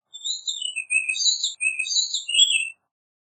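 A warbling vireo sings a fast, rambling warble of slurred high notes, nearly three seconds long with a brief break, ending on an upward note.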